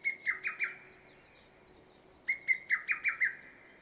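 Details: Lesser cuckoo singing fully exposed from a treetop on 1 June 2024, with several in the area, perhaps advertising strongly: two loud bursts, a group of four ringing notes, a pause, then a jerky six-note phrase.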